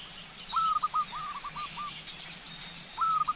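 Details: Zebra dove song heard as a lure to set a bird singing: two faint trains of short falling coos over a steady background hiss.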